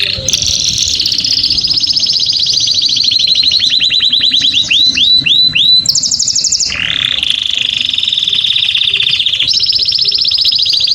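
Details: Canary song to arouse females for breeding, long and continuous: a high rolling trill gives way to curved notes, then extended flat trills that jump between lower and higher pitches.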